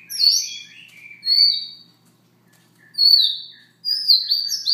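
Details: A Siberian rubythroat sings its quiet morning song. A twittering opening with lower trailing notes is followed by three more high, falling whistled phrases separated by short silences.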